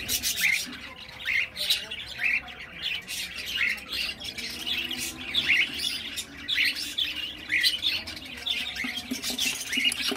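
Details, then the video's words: Young cockatiel giving a steady run of harsh, raspy squawks and chirps, repeated roughly every half second to second over ten seconds, high and noisy with little background. "Baby cockatiel"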